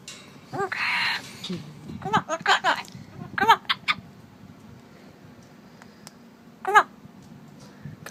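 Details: A pet talking Amazon parrot indoors, a bird that waves bye bye. It gives short harmonic squawks and chattering bursts in irregular clusters while a man's voice coaxes it nearby.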